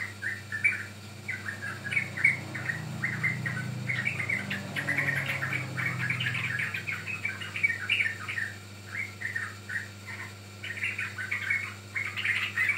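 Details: Yellow-vented bulbul, a young bird, singing as a lure to set other birds singing; long busy stream of chattering chirps and short whistles, with a low rumble midway and a background hum.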